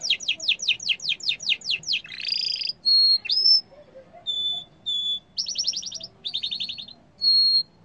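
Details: Yellow canary song opening with a rapid train of steeply falling notes, then a harsh buzzy phrase, short steady whistles and quick rolling trills, all bright and high-pitched.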